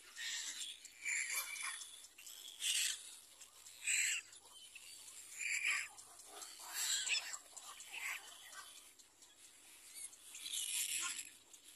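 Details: Little black cormorant about to feed its baby: a run of rasping, hissy high calls in separate bursts every second or so, some louder than others, over a quiet background.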